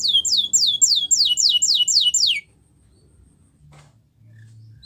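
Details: Spanish Timbrado canary training song: a short series of about eight quick descending slurred notes, followed by quiet.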